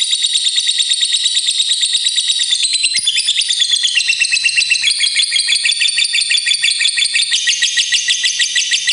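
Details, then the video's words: Long ngekek song of a fighter lovebird, used to prompt other lovebirds to sing: a continuous fast, shrill chatter of rapid ticking notes, its pitch dropping slightly near the middle, then running on without a break. "SANGAT JITU BIKIN LOVEBIRD CEPAT BUNYI, LB Fighter Ngetik Ngekek Panjang"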